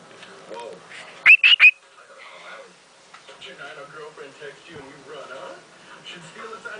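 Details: Pet cockatiel indoors, singing toward a new camera and a finger: three loud, quick rising chirps in a tight burst early on, then television dialogue playing in the room.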